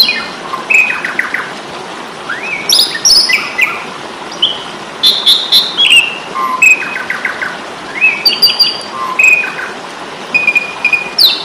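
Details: Asian pied starling (jalak suren) in a fighting mode, used in Indonesia as a training recording for caged songbirds: varied rapid phrases of clear whistles, stacked harmonic notes, short buzzy and harsh bursts and chirps, with steady background hiss.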